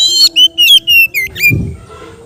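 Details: Kacer, or Oriental magpie-robin, in relaxed ngeplong song for therapy of untrained birds. Four or five loud, sustained whistled notes with slight downward slurs are followed by a short dip and fade into low background noise.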